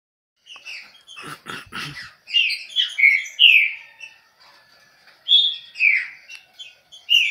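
A Green-winged Saltator delivers a fast run of loud, rich whistled notes, rising and falling in quick phrases, after a few sharp knocking clicks.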